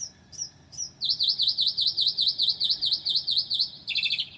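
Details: Northern mockingbird, a mimic, singing at 2:00 A.M. on 9 July 2008: a few high chips, then a rapid series of about fourteen sweeping whistled notes, ending in a buzzy trill over a quiet background.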